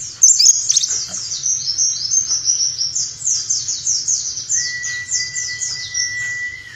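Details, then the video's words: White-eye tutor song in nembak style for caged birds: a sustained rattle of rapid, high, sharply slurred notes, joined midway by a long level whistle, over a faint low rumble. "Masteran Pleci Nembak 2018"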